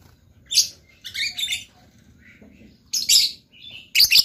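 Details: Lovebird giving short bursts of harsh, high, scratchy chirps separated by brief pauses, with quieter twittering between the louder bursts.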